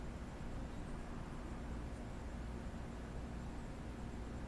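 Steady low rumble of engine or wind noise fills the whole recording, with no animal voice heard.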